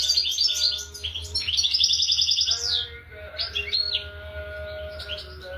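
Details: European goldfinch song: high liquid twitters leading into a sustained buzzy trill that slides downward, followed by quieter chirping notes, with a low steady hum underneath.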